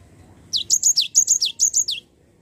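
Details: Java sparrow song used as a lure to make a lazy bird sing, a tight run of about nine high, bright, falling chirps lasting roughly a second and a half over a quiet background.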